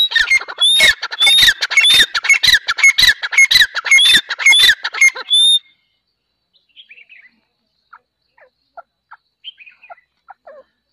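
Grey partridge giving harsh, grating squawks, several per second for about five seconds, then stopping abruptly; a few faint, scattered chirps follow.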